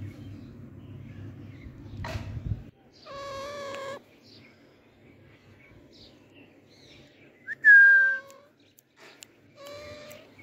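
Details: Pet Alexandrine parakeet active in a garden gives three separated harsh nasal calls, the middle one loudest with a shrill whistled start, each under a second long, with quiet pauses and low rumble between.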